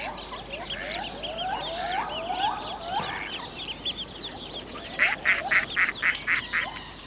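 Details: Mallards, with chicks, by the lions' pool in Regent's Park Zoo, London, where wild mallards and moorhens fight over territory: a busy chatter of high, squeaky rising and falling peeps, then about eight harsh, nasal quacks, roughly four a second.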